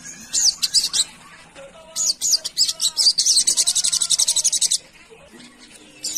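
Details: A Sunda pygmy woodpecker gives high, dry buzzy trills and chattering bursts, including one long rapid rattle of about twenty notes, with faint background noise. The recording is used as a lure to draw responses from wild birds.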